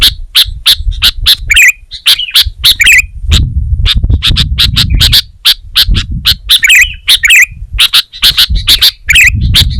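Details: Sooty-headed bulbul singing in gacor style: rapid dry chips around the middle-high range mixed with short, warbled, bubbly phrases that recur every second or two, over low rumbling background noise.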